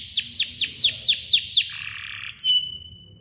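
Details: Canary chirping cuit-cuit in a song used to train silent birds to sing again: seven loud descending chirps about a third of a second apart, then a soft buzzy passage and a sustained high whistle.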